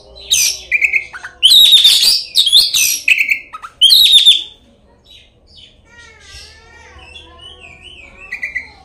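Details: Lure song of an Oriental magpie-robin, meant to make other magpie-robins sing and fight; strong harsh buzzy bursts mixed with ringing whistles over four seconds, then soft warbled, wavering whistled phrases further off.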